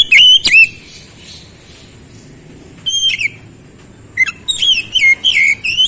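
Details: Song of an oriental magpie-robin: two sharp whistled notes at the start, a lone phrase midway, then a lively closing flurry of varied, slurred whistles rising and falling in quick succession.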